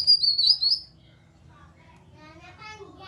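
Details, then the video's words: Grey-cheeked bulbul nyaut call, a lure to stimulate other bulbuls to sing. It opens with a high, rapid warbling phrase of under a second, then fades into faint, muffled background noise. "Pancingan Burung Kinoi agar ikut Bunyi Nyaut cocok untuk kinoi ombyokan diam saja supaya gacor"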